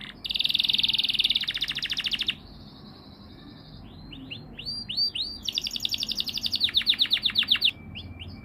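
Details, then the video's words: Yellow canary delivering a loud, rapid buzzing trill for about two seconds, a brief steady tone, then arched whistled notes that give way to another fast, pulsing trill. "pila Canary"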